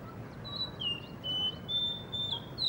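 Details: A Blue whistling thrush in Hunza, perched before a guesthouse under construction, sings a string of long, level and gently sliding whistles over soft background noise.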